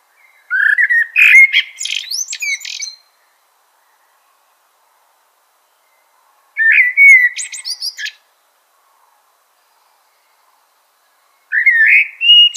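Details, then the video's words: Common blackbird giving three song phrases spaced by silences of several seconds. Each begins with mellow fluted whistling and ends in dense, scratchy, high-pitched twittering flourishes. "Common Blackbird Call/Song/Sound - Chirping/Singing Birds"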